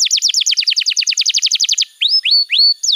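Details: Master song of a canary for tutoring young canaries: a fast, steady trill of downward-sweeping notes for nearly two seconds, then three rising whistles that hold steady, ending on a falling note.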